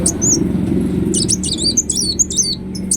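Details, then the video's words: Ruby-cheeked sunbird in full song, recorded as a lure to set other birds singing: a few thin high notes, then a quick tangle of twisting squeaky phrases, with a steady low hum beneath. "Kolibri Wulung Gacor Latah Gampang Bunyi"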